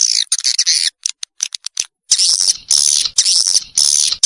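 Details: Swiftlet call for luring young birds into a new building, 2021: high buzzy twitter, then a scatter of short ticks, then long harsh chattering bursts repeated about every half second.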